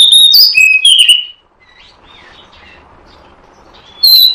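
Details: Oriental magpie-robin lure sound used to attract birds for trapping: loud, clear whistled phrases sliding between high and mid pitch, a quick burst for just over a second, a quiet pause, then a new whistle at the end.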